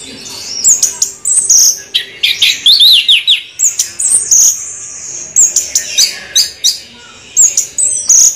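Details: Orange-headed thrush pouring out its rolling ngeroll song: rapid, high, sharp chips and zigzag warbles in quick pulses, roughly two or three per second, continuing without pause.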